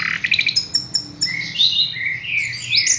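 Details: Caged Horsfield's bush lark singing a rapid varied song: short high chirps in a quick series, then sliding whistled and buzzy phrases rising and falling, with a faint low hum underneath.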